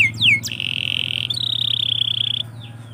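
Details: Morning canary song: quick downward sweeps, then a long, steady high whistle that rolls into a sustained buzzy trill, with a low hum underneath.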